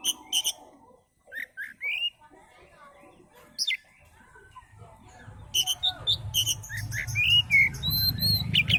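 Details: Oriental magpie-robin singing, used as a lure for other birds: scattered whistled and chirped notes, then a faster burst of varied high whistles and trills near the end over a low rumbling background.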